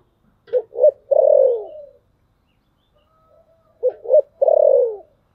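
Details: Lure spotted dove in the 'thổ sấm' voice, cooing to attract wild birds. The same three-part phrase comes twice about three seconds apart: two short coos and a long falling one. Quiet in between.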